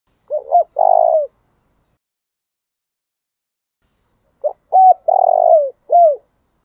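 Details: Spotted dove decoy bird giving its morning calling coo: a short hoarse phrase, a pause of about three seconds, then a fuller phrase of clipped notes, a long rough coo and a falling final note.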